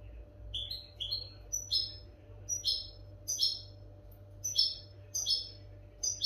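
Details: European goldfinch song used for training captive goldfinches: short bright chirped notes and brief twittering bursts repeated about every half second to second, over a steady low electrical hum.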